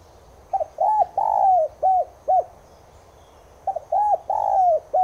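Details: Spotted dove of subspecies tigrina repeats its cooing phrase twice, a sound used to get caged doves singing. Each phrase has a stuttered opener, an arched coo, a long falling slur and two clipped notes.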